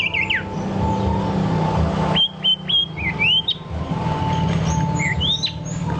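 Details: A bird sings short, clear whistles, some rising and some falling, in small groups with pauses between. Low rumbling background noise accompanies them.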